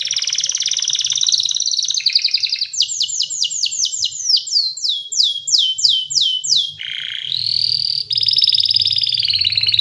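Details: Canary singing a varied phrase: high rolling trills, a run of sharp descending sweeps, a brief lower buzzy note, then a steady high roll over a faint low hum.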